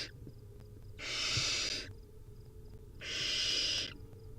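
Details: Wild barn owl nestlings at feeding time, begging with harsh, broadband hissing snores about one second long, two in the clip roughly two seconds apart, with quiet rustling in between.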